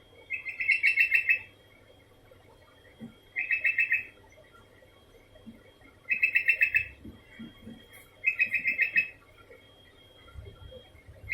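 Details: Sooty-headed bulbul singing steadily: four bubbly phrases of rapid whistled notes, each under a second long and spaced about two to three seconds apart. A thin constant high tone runs underneath.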